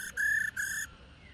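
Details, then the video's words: Female black-throated laughingthrush, kept to stimulate males to sing, gives a brief note, then two harsh, buzzy, even-pitched calls in quick succession, each about a third of a second long. "KHƯỚU MÁI RÒ HẤP DẪN TRỐNG /Kích Trống Hót Căng"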